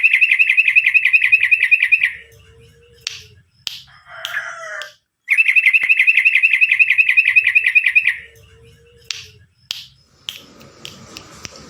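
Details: Trucukan garuda, the yellow-vented bulbul, in lively 'gacor' song. Two long bursts of fast, evenly pulsed chattering notes are separated by a pause with fluttering, rustling sounds and a faint low whistled tone.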